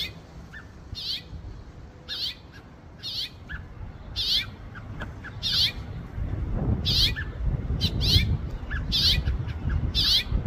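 House finch giving short, bright chirps, about one a second, with fainter softer notes between them over a low rumble of background noise.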